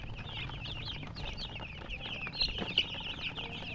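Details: Many colour-dyed domestic chicks peep together, their thin, shrill, downslurred chirps tumbling about twice a second over low background hum.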